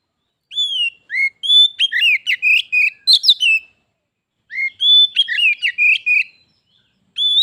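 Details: Rival Oriental magpie-robins, pet and wild, singing against each other before a fight: repeated phrases of sweet whistles running into rapid trills, each about three seconds long and separated by short pauses.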